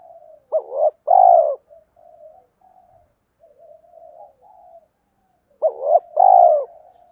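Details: Spotted dove singing its two-ending coo, 'gáy hai hậu', as a daily lure for wild doves. Two phrases about five seconds apart, each a brisk double note and then a loud, falling coo. A quiet murmuring thread runs between them.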